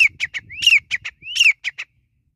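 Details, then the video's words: High-pitched grey francolin call: two loud rising notes, each trailed by quick, clipped notes, ending abruptly in silence. A soft low-pitched rumble sits beneath. "Desi Teetar Ki Boli | Teetar Ki Awaz | Gora Teetar Ki Sound | Desi Teetar Voice Call"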